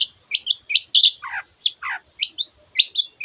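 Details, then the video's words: Long-tailed shrike (cendet) in full song, mixing many other birds' sounds: short chirped notes in quick bursts about twice a second, with two lower downward-sliding phrases in the middle. No background noise. "cendet gacor masteran untuk burung yang susah bunyi banyak varian suara burung lainya"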